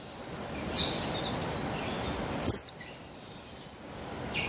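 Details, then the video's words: Female buxtoni white-eye, used to coax males to sing, dated 3/8/21: a soft twittering phrase followed by two loud, sharp, high downslurred chirps about a second apart. "Buxtoni Betina Memancing Bunyi Burung Pleci Bahan Agar Bustomi Gacor Ngalas"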